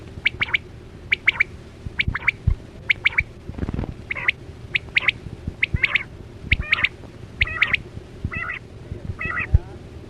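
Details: Chora quail call used to lure birds toward nets, 2024-25: a steady series of crisp double chips every half second or so, later joined by rougher buzzy notes, with scattered clicks and background hum.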